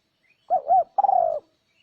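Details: Spotted dove call played to lure wild doves: one phrase of two quick rounded coo notes followed by a longer, steady, slowly falling coo, clean and close.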